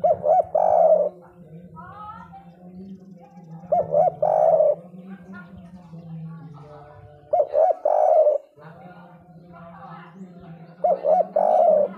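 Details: Spotted dove repeating its loud 'kuk 3' phrase four times, roughly every three and a half seconds: quick short notes leading into a long hollow coo, with a low hum and faint clatter between phrases.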